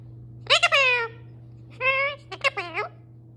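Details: Male parrot kept as a pet speaks in voice-like phrases: a long falling harmonic syllable, then a steady tone and a wavering, bending word, with steady background hum.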